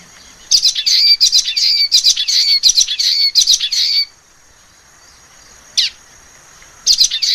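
A common waxbill sings a quick run of high, nasal, buzzy notes for about three seconds, pauses, then adds a few more, over a faint steady high hiss.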